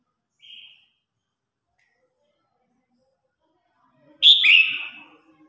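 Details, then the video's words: Red-whiskered bulbul in competition song, calling the flock: a soft short whistle, a pause of several seconds, then a loud slurred whistled phrase falling in pitch, with a quiet background. "Tiếng Chim Chào Hót Đấu /Tiếng Hót Gọi Bầy Đàn"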